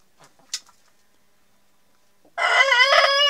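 After a couple of quiet seconds with faint rustling and a click, a rooster launches into a loud, rich, steady crow with a slight waver, cut off mid-call.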